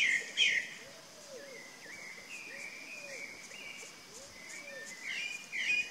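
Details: Chalk-browed mockingbird song: loud sharp notes open, then a run of soft varied warbled phrases, with fainter low curved whistles beneath and steady background hiss.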